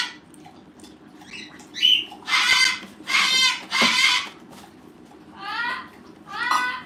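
An umbrella cockatoo lets out harsh, raspy screeches, three long ones back to back, then two shorter squawks, over a low indoor hum.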